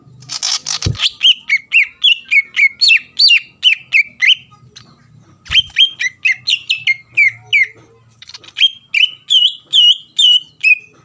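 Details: Vigorous greater green leafbird song, used as a lure to rouse a rival bird's emotions so it sings at once: a harsh burst opens, then fast runs of sharp whistled notes, a brief pause, and more rapid chattering whistles.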